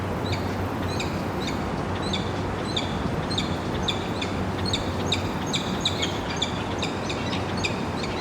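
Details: At a cliff nest site on a cloudy grey morning, a peregrine falcon gives a rapid run of short, sharp, high chipping notes over a low rumble. It is during courtship, as the male coaxes the female to a raven nest.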